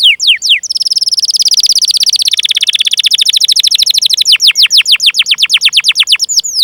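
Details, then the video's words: Canary in full song, used as a lure for canaries in training or ones that have stopped singing. A few falling chips lead into a long, dense buzzing trill that breaks into fast, steeply falling whistled notes. "Masteran Suara Burung Kenari Gacor Panjang cuit cuit Ngerol untuk Pancingan Kenari!"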